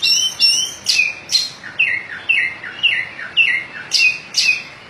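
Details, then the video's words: White-breasted oriental magpie-robin singing 'ngobra' in the 'muter muter' circling style: loud, clear whistled notes slurring downward, given in a steady series of about two per second, with a few higher sharp notes mixed in. "Burung kacer dada putih ngobra gaya muter muter"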